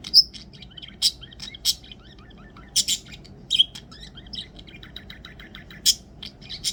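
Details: Budgerigar: a pet budgie relaxing on its owner's shoulder chirps in quick, high warbles and scratchy clicks, the chatter of a contented, happy bird.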